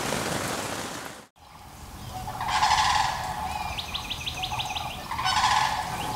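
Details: Sandhill cranes give two bursts of rolling, rattling bugles at night near a campsite in Ocala National Forest, Florida, in winter; steady background hiss and a quick high ticking series are also heard.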